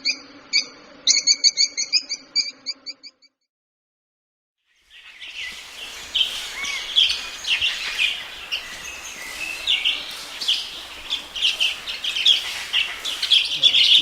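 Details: Lovebird voices: a quick, pulsed, buzzy trill, a silent gap, then a dense, continuous chatter of many overlapping high squeaky chirps, like a busy flock.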